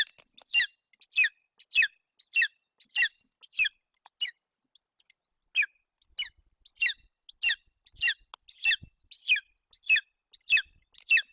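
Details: Hungry golden eagle eaglet being fed roe deer fawn by its mother at a nest in Bucovina, Romania, 8 June 2021: shrill, downward-slurred squeals in a steady series, with a brief pause midway before resuming.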